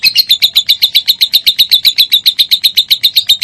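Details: Minor-type lovebird singing on a recording used to prompt other lovebirds to sing; a very even series of sharp, high chirps, about four each second, each note alike, with no other sounds.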